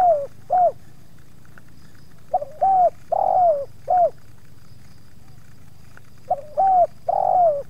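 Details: Spotted dove, one of two wild birds approached by a captive bird, with slight resistance from the second wild dove; mellow hooting coos in short phrases, a cluster of three to four notes repeating twice, over steady low rumble.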